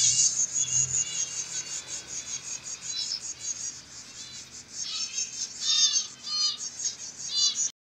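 Pet parrots chatter in high, squeaky, rapidly repeated notes, with a cockatiel calling among them.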